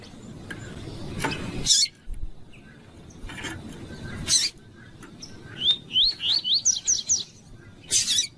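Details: A captive rusty-collared seedeater sings a "tui tui" song used to warm up and train other males: sharp, rising whistled notes, about six in two seconds, climbing in pitch, with a few scratchy bursts and low background rumble.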